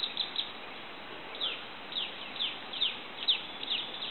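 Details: Golden-headed manakin, Asa Wright Nature Center, January 2011. Sharp, high, falling chirps come in loose pairs and singles, roughly two per second, over a background hiss of insects.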